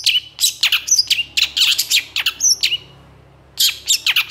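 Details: Long-tailed shrike (pentet or cendet) in full gacor song with long emotional bursts, a mastering recording: sharp, steeply downslurred whistles and harsh chips tumble rapidly, break off near three seconds for a short pause, then resume energetically.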